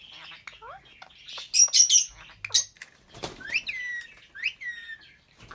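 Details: Two albino red-eyed lovebirds singing and chirping, a series of shrill chips and short downward whistles, loud sharp squeaks in the middle, then rising slurred notes near the end.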